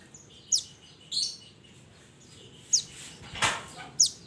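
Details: Mantenan from the mountains calling to its companions: sharp, high, falling whistles repeated at irregular intervals, with one brief broad rushing noise midway and a soft low hum beneath.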